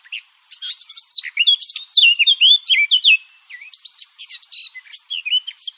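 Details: A Eurasian blackcap sings a fast, varied warble of high chattering notes and clear fluty twists in bursts, with a brief pause midway and no other sounds. The song is used as a lure for hunting.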